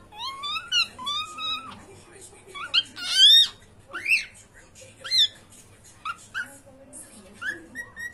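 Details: Playful pet cockatiels indoors: loud, ringing calls, some long level whistles, others sharp upswept and down-slurred screeches, coming in irregular bursts with brief overlaps and short pauses between.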